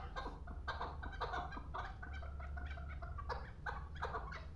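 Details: Pamir chukar partridge, a two-year-old hunting bird, uttering loud throaty clucks in uneven bursts over a steady low hum.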